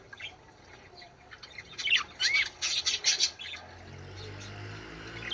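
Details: Budgerigar song played to encourage birds to mate: bursts of scratchy, buzzy chatter and short rising whistles clustered between two and three and a half seconds, followed by low background hum.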